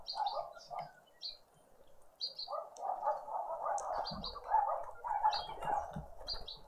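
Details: Spring Sunday morning in a suburban garden in Pretoria, South Africa: a green woodhoopoe family at breakfast. A few rasping notes, a short lull, then a sustained rolling bout of harsh cackling, with high chirps from other birds repeating.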